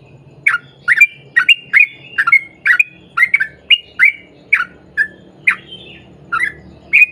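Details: Caged sooty-headed bulbul delivering a long chain of crisp, downslurred chirps, steadily spaced, over a noticeable low background rumble.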